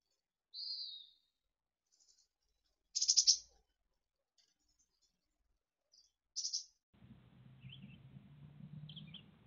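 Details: Mountain chickadee nestlings at Truckee in late June 2020, about to fledge from a brood of six: a high, slightly falling whistled note, then two loud buzzy bursts, a few faint chips, and low rumbling noise at the end.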